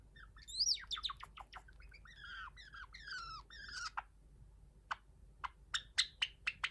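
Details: Cream Java sparrow, a pet bird indoors, practising its song: quick clicking notes run into a jumble of rising and falling twittering phrases, then a pause and a few separate sharp clicks.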